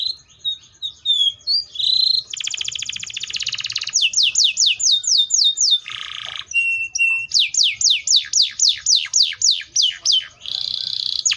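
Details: Sustained canary song packed with buzzy rolls and long series of quick descending sweeps, interrupted by a short lower rasping burst and a steady whistle before more rapid sweeping phrases.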